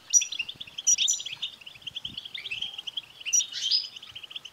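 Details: Goldfinch twitter meant to rouse a caged male goldfinch into song: steady run of quick chirping notes with a few sharp high flourishes and a buzzy rising note near the end, faint low rustling beneath.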